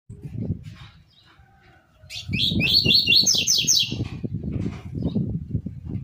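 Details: Saffron finch (Sicalis flaveola) "tui tui zel zel" song, a quick run of bright, high chirping notes over low background rumble, used to teach young saffron finches and seedeaters their song.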